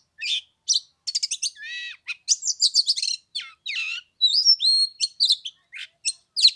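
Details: Oriental magpie-robin singing on the third day of Lunar New Year in cold weather around 15 degrees: a rapid medley of sharp whistled notes, short trills and buzzy rasps, with brief gaps between bursts.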